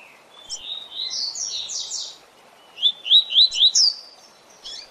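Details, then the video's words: Double-collared seedeater singing a 'tui tui zel zel' training song for captive birds: a rising run of whistled notes into loud buzzy downstrokes, then four clear, evenly spaced rising whistles and a final short note, over low hiss. "Tui Tui Zel Zel Canto Para Treinamento e Encarte de Coleiros e Papa capim!!!"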